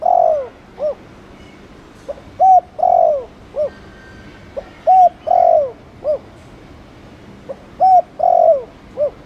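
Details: Spotted dove repeating its soft, mellow cooing phrases about every two seconds, two-part and three-part coos, used to provoke other doves into cooing fast, with steady low background hiss.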